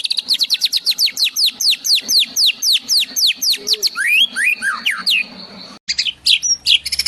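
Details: Varied song of a white-rumped shama imitating sparrows and tengkek: a string of sharp downslurred whistles, then swooping rising and falling phrases, a brief gap, and a burst of high chattering notes.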